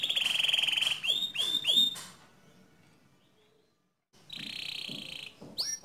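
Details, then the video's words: A pure white canary gives a steady trill and three swooping notes, falls silent for about two seconds, then resumes with a softer buzzy trill and a closing upward note. "Suara Kicau Burung Kenari Putih Bersih Gacor Dor"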